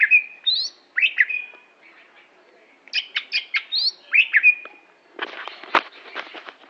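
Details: Greater green leafbird, Aceh type, in varied song: sweet whistled slurs and quick upsweeps in short phrases, ending with a rough rattling burst.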